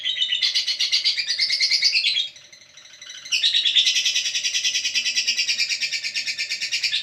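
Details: A lovebird chatters in rapid, rasping high chirps, pauses briefly near the middle with softer twitters, then resumes a dense, loud stream of pulsed calls.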